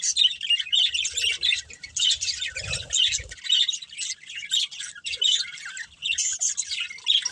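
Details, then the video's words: Breeding pair of budgerigars kept as pets, chattering continuously in bright, high twittering chirps and warbles, with a few soft low thuds and rustles beneath the dense chatter. "Cute Budgies Chirping Sounds"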